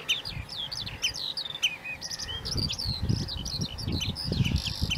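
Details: Common redshank with chicks at an inland breeding wetland in Lincolnshire, calling quick, ringing, high piping notes that slur up and down, several a second, over low wind rumble.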